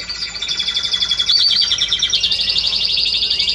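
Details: Timbrado canary, Spanish breed, recorded 30 May 2017, delivering fast, bubbling, water-like trills that run continuously, shifting to a higher, smoother roll after about two seconds.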